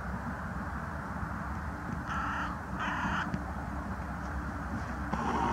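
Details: A young carrion crow croaking, filmed 22 January 2020: three harsh, hoarse caws, each about half a second long, spaced roughly a second apart, over a steady low rumble.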